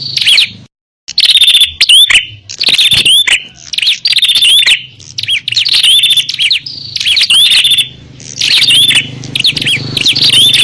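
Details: Noisy fighting of bar-winged prinias, used as a lure for wild birds: near-continuous strings of high, shrill chirps and thin whistled notes after a brief opening pause, with a low hum beneath.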